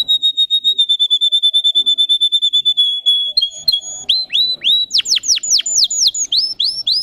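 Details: Canary of the Russian singing type: a long, rapid, steady trill of pulses at one pitch for over three seconds, then a run of loud downward-sweeping whistled notes repeated in quick succession.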